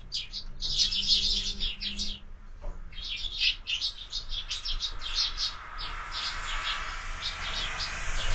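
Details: Year-round feeding at a window feeder draws morning sparrows, whose sharp high chirps tumble in near-continuous rapid sequences, thinning briefly mid-clip before picking up again.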